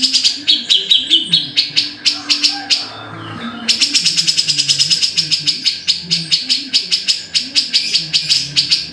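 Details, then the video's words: Cucak jenggot (grey-cheeked bulbul) sings loud scratchy repeated notes, a brief pause, then a long fast even chatter that slows slightly toward the end. "BURUNG CUCAK JENGGOT"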